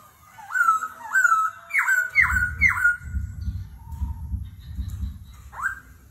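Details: Laughingthrush in competitive song, continuously changing voice: several repeated rising, looping whistles, then softer notes, with rhythmic low thumping sounds underneath.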